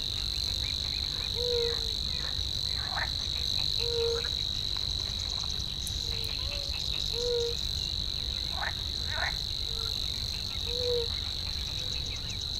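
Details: Savi's warbler reeling in a reedbed: an even, high buzz that runs unbroken for over twelve seconds, accompanied by short low tonal notes and occasional clicks.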